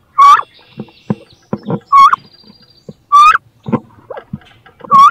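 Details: Inside a nest box, two female wood ducks fight over who will lay and brood there; four strong upslurred squeals roughly once a second, with soft scratching and knocking in the gaps.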